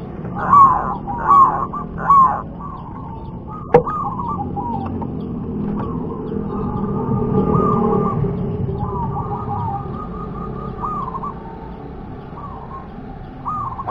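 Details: Local wild zebra dove singing three rolling coos at the start, followed by a sharp click and a long series of softer trilled, stuttering coos over a low rumbling background like passing traffic.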